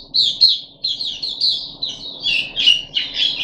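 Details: Short burst from a caged puff-backed bulbul during its third day of deworming, 14 July 2021: clear, warbling phrases of rising and falling whistles, ending in fuller, slightly harsher notes. A steady faint hum underneath.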